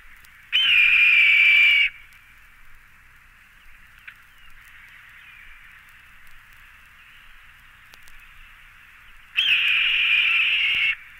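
Red-tailed Hawk giving two hoarse, drawn-out screams, each over a second long and slightly falling, about eight seconds apart over a steady hiss.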